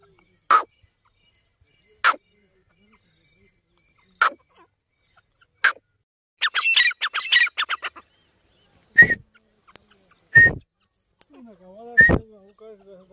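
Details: Francolin (Irani teetar) giving sharp, harsh single notes every couple of seconds, then a quick rattling burst and a few more loud clipped calls. A faint, lower voice is heard near the end.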